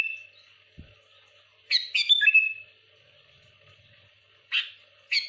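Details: Sooty-headed bulbul singing hard at rivals: a steady thin whistle at first, then a loud burst of tumbling, chattering whistled notes, and two more brief bright chirps near the end.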